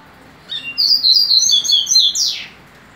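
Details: A captive-bred double-collared seedeater sings a quick, high twittering phrase of sweet notes lasting about two seconds, ending in a buzzy downward slur. The background is quiet.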